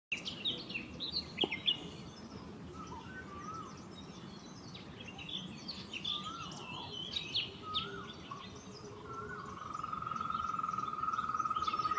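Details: Golden-fronted leafbird in India, giving a varied run of short whistled and chirping notes at shifting pitches, some slurred downward, ending in a long, even high trill. Steady background hiss and faint insect-like buzzing underneath.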